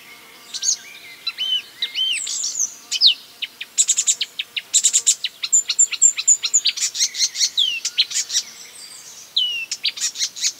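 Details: Marsh warbler (Acrocephalus palustris) singing a medley of imitations of other birds: rising and falling whistles, sharp high clicks, rapid chattering runs and buzzy notes, changing phrase every second or so, clear and loud.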